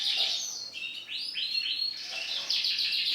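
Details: Yellow female canary producing varied quick chirps: upward-sweeping whistled notes and short rapid tweets in close succession, fairly loud and high-pitched throughout.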